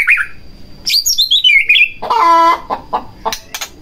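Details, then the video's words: Provocation song of a white-rumped shama: cascading high whistled notes followed by a harsh buzzy rattle and scattered clicks, over a faint steady high tone. "Pancingan Murai Batu Agar Bunyi Langsung Emosi Bongkar Isian"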